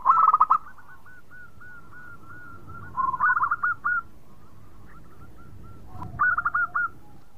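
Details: Zebra dove of a local strain singing: three bursts of quick, trilled, purring coos at even mid pitch, the first loudest, with fainter cooing notes carrying between bursts.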